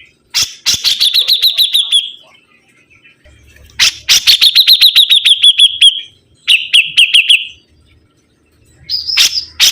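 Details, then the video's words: Vigorous sibuntung bird song in three bursts: each a quick run of bright, clipped repeated notes that fades out, with short pauses and faint low rumbling between. "BURUNG SIBUNTUNG GACOR"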